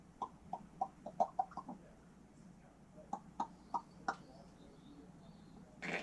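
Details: Pet common raven, caged indoors and recorded by a hidden camera while its owner is away, gives a run of short hollow knocking clucks, about six in quick succession, then four more spaced out, with faint room noise.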